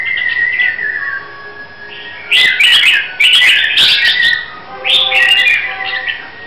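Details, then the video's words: Red-whiskered bulbul, Hue type, Vietnam, being readied for a singing contest: a soft whistled opening, then loud bubbling phrases of fast slurred notes in three bursts. "Chào Mào Huế Hót Cực Hay"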